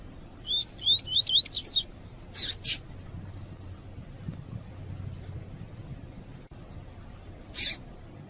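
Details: A female double-collared seedeater in breeding condition, calling a lot to stimulate males, gives a quick run of five or six thin rising chirps, then a few sharp clicks, over a steady high hiss.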